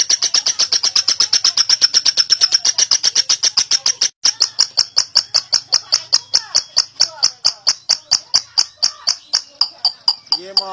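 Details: Lovebird performing a long ngekek meant to train other lovebirds: a very fast high chattering trill that, after a brief break, resumes and gradually slows to spaced chirps, ending in a low rasping note.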